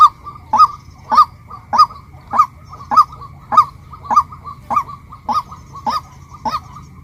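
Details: Female white-breasted waterhen giving a steady series of harsh, nasal kwak notes, about a dozen in seven seconds, each a short upward-bent honk repeated roughly twice a second over a faint low hum.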